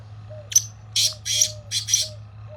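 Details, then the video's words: A black francolin in fields, brought out after six months and calling for the first time, gives a grating, rasping phrase of four or five harsh notes, with soft short whistles from another bird and a low steady hum behind. "Kala Tetar Awaz"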